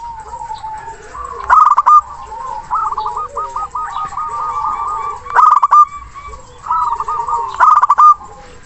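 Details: Zebra dove of local origin calling a rival with big voice and long breath; loud stuttered coo phrases return roughly every two to four seconds, with chains of bubbling coos between and other doves behind.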